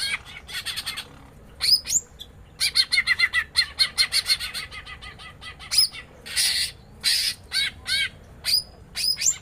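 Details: Female greater green leafbird in a small aviary, calling back and forth with a male while being fed papaya; loud bursts of harsh, buzzy chattering notes with sharp upslurred whistles, delivered in rapid repeated runs and pauses.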